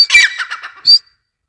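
A grey francolin gives a quick run of harsh, grating squawks, then one clear, high, slightly rising note, all within a second.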